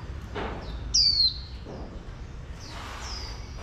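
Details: Female oriental white-eye calling to excite males: a single loud, thin, falling whistle, then softer high chirps, over faint background hiss.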